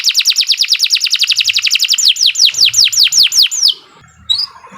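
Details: Hard-singing domestic canary used as a training tutor for young or quiet canaries; a very fast run of falling whistled notes slows into broader swooping whistles, then fades to near silence with one last chirp.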